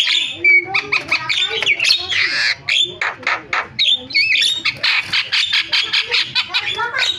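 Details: Javan myna in energetic varied song: dense harsh rasping bursts mixed with short whistled slides and clicks, delivered in quick pulses almost without a break.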